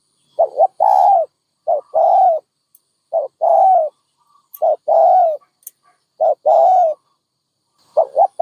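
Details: Rapid run of dove cooing phrases, about six, each pairing brief hollow notes with a longer coo, delivered with little pause between them.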